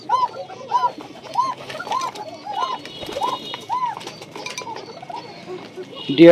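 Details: Bashiraj Koka domestic pigeons on a farm in Bagmara, Rajshahi, cooing: a low hooked coo repeated about every half second, several birds overlapping, with faint background chatter; Bashiraj pigeon.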